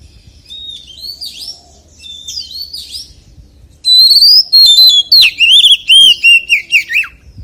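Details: Soft, distant whistled phrases of a white-rumped shama swell into a loud wild-voice outburst: a clear rising whistle followed by fast, slurred notes that descend step by step.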